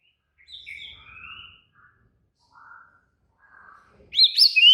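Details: White-rumped shama in an agitated, excited song. It begins with soft, scratchy, warbled notes and quiet gaps, then ends in loud, bright, sweeping whistles at high pitch.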